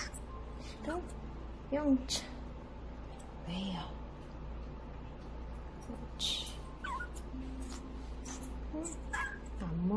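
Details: A baby grey parrot gives short, whining, whimpering begging calls at uneven intervals while being hand-fed pellets outside its cage, over a steady low hum and faint voices.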